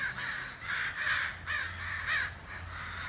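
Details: Outside a back door, a crow gives four hoarse, drawn caws in about three seconds, with a low steady hum behind.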